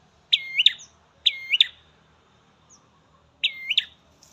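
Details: Ashy prinia singing in a garden: sharp, high, looping chirp phrases, each a quick up-down flourish, given in three bursts about a second or two apart against a quiet background.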